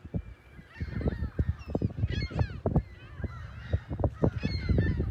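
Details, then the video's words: Seagulls on the beach at South Haven, near the lighthouse and pier, on the morning of Sunday, March 21, 2021: short harsh squawks in small bursts, with rapid low thumping sounds throughout. "Morning Sounds of Big Blue & Seagulls"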